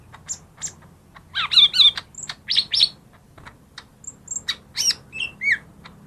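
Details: Lesser green leafbird song played to stir quiet birds: a lively, varied phrase of rich warbled notes with deep slurs, brief high pure whistles, sharp clicks, and a falling two-note ending.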